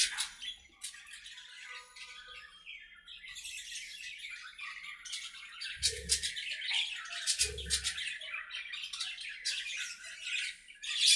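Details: Budgerigars playing and talking to each other in their aviary: a continuous, dense warble of scratchy chirps and squeaky notes, with louder buzzy bursts near the end and a few soft low thumps.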